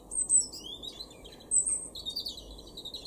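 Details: A European robin sings in a garden in Weener, East Frisia, northwestern Germany, in April 2021: high, thin, liquid phrases of trills and sliding notes in short bursts with brief pauses, over a soft low background rumble.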